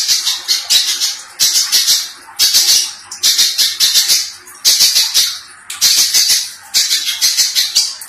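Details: Little spiderhunter in lively full song, its voice described as harsh and dense. It gives rapid bursts of rasping, buzzy high notes, each burst about a second long, with short pauses between them.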